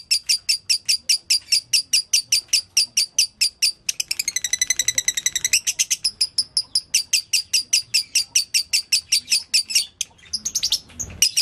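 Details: Lovebird giving its dobelan, a continuous konslet-style delivery: sharp high chips repeated steadily about two to three per second, a faster tighter trill near the middle, then the even chipping resumes and a scratchy burst closes it.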